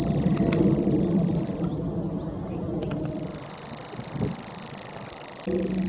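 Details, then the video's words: A common grasshopper warbler hiding among nettles and brambles at Middleton on 21 April 2016 reels a very high, dry, insect-like trill held steadily, breaking off briefly before resuming, over a low background rumble. "Gropper Reeling"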